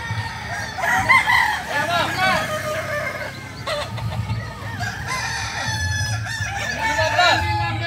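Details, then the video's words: Competition practice session of kukuak balenggek chickens at AMKO. Many roosters crow at once in a dense chorus of arched, bouncing notes repeating across the clip, backed by low engine-like hum and chatter. "Ayam kukuak balenggek .. akb ... Latpres di AMKO.."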